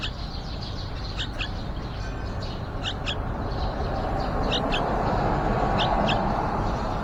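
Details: Yellow-vented bulbul at a nest outside a window, fledgling stage: short, high chirps in quick pairs, repeated every second or so, over a steady low rumble.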